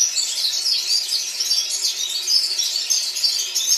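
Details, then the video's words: Red-fronted serins singing together in Baku, Azerbaijan: a dense, continuous mass of high, overlapping twittering and chirps from many birds, with no pauses. "Kрасношапочные вьюрки пение хором"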